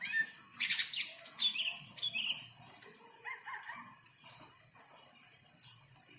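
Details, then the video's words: Greater green leafbird in breeding condition after a rain bath, singing a jumble of sharp chirps, harsh rasping bursts and short slurred whistles in quick, uneven succession. The song fades toward the end, with faint low background rumble. "Birahi cucak ijo stabil " Dg mandi hujan""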